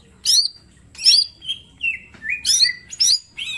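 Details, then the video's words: Energetic mini green leafbird song meant for training, full of sharp shots: loud high chips alternate with longer level whistles, in bursts under a second apart, with faint low hum behind. "Cucak ijo mini gacor full tembakan bongkar materi"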